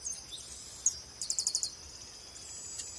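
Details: Chestnut-capped blackbird song: a short burst of five or six quick, high, clipped notes in a tight series, preceded by a single chip, against a constant high-pitched background whine.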